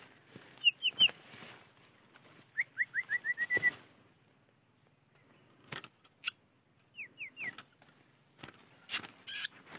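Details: A trapped Scarlet minivet in Vietnam, responding to a lure within three minutes, gives thin, high, down-slurred whistles in quick threes and one run of about seven, with sharp knocks and clatter between phrases.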